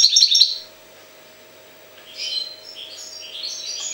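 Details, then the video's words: European goldfinch from Jagodina, Serbia: a loud burst of bright twitter, a short pause, then softer rambling chirps and tinkling notes in an irregular run; faint steady hum in the background. "Stiglic-Jagodina 5"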